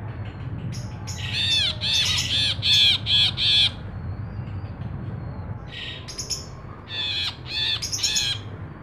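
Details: Ashy bulbul in active song: a loud run of harsh, harmonic squawks repeated rapidly over a few seconds, a lull, then further shorter bursts of chattering notes.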